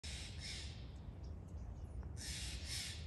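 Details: Steller's jay giving two harsh, raspy, broadband calls, one at the start and one near the end, with a quiet gap between them over a steady low rumble.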